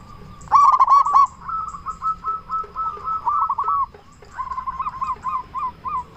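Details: Loud local zebra dove calling persistently, used as a lure to make other zebra doves answer: a burst of rapid staccato pulses, then a run of short rolling coos on one pitch, a pause, then more quick repeated coos.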